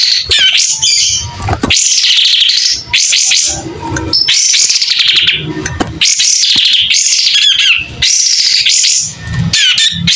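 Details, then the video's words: Actively singing white-rumped shama spreading its tail: repeated loud arched whistles and warbles about one second apart, varied in shape, over faint low background noise. "Kapas tembak gacor buka ekor.. SUARA JERNIH"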